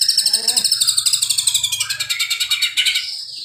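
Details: White-rumped shama singing cililin-style song material: a fast, steady string of sharp high notes, about four a second, running unbroken for several seconds with a slightly rougher burst near the end.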